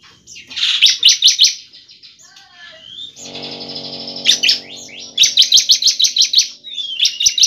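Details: Bar-winged prinia (ciblek) song used as a lure to prompt prinias to sing: quick runs of sharp repeated chips between thin whistles, with a low humming tone in the middle.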